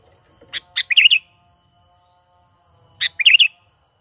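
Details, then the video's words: Sooty-headed bulbul natural call used as a trapping lure: a harsh broadband note, then a short bubbly, warbled phrase, repeated twice about 2.5 seconds apart against a quiet background. "Pikat Burung Kutilang ISTIMEWA Full Gacor,Panggilan Alami Tanpa Isian"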